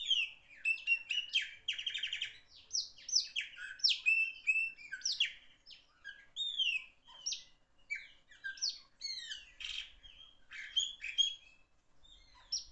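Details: Chopi blackbird in full loud song, an unbroken cascade of whistles, slurs, trills and scratchy chatter lasting several seconds, with very faint low rumbles behind it.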